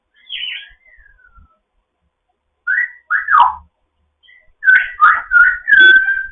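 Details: Pet African grey parrot in foster care, morning chatter: a high descending whistle, pause, two sharp swooping whistles, then a quick jumble of clipped whistles ending in a held note.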